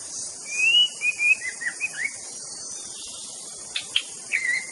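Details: White-rumped shama song opening with long, smooth whistled slurs, followed by a few short sharp notes and a final rising whistle, set against a continuous high insect drone.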